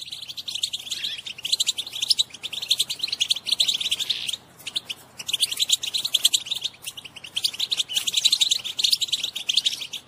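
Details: Batbata of a female European goldfinch, played to excite males to sing and mate: continuous rapid high-pitched twittering and buzzy chatter in long bursts, broken by two short pauses.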